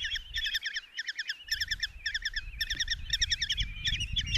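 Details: Five common kestrel chicks in a nest box in Tiszalök, Hungary, on 27 June 2024, as the mother brings a mouse for breakfast, give rapid bursts of high, harsh, stuttering calls, several overlapping, over low rumbling background noise.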